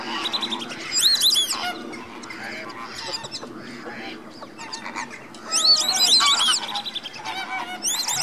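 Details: Captive Greater Flamingo flock at Slimbridge in January 2016, active before bedtime: bursts of loud, nasal, goose-like honks with rich harmonics from several birds, overlapping, with a lower murmuring chatter beneath.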